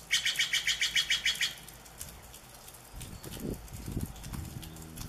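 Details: A Steller's jay in the Pacific Northwest gives a fast run of about a dozen harsh, rasping notes in just over a second, then low rumbling and thumping noises follow.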